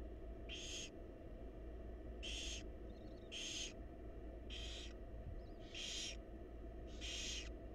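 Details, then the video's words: Wild barn owl chicks in a monitored nest box, fed by their mother, give harsh hissing begging screeches, six broad noisy bursts about a second apart over a steady low hum. "Barn Owl Mom Lovingly Feeding Her Adorable Babies"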